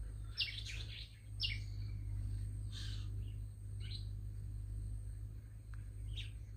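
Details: Several short, high, scratchy chirps from a small, loud-voiced bird come at irregular intervals over a strong continuous low rumble.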